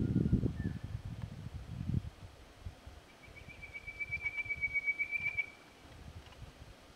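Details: A male chestnut quail-thrush in Hattah-Kulkyne National Park, 13 September 2022, sings a thin, high, level whistle of rapid pulsing notes for about two seconds after a brief lower whistle; low wind rumble and thumps open the recording.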